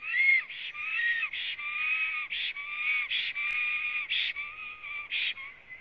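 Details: Wild black stork singing at its nest in Latvia, filmed by a live nest camera on the morning of 26 April 2017 after arriving: wheezy rasping bursts alternate with clear, slightly rising whistled notes, about twelve in six seconds.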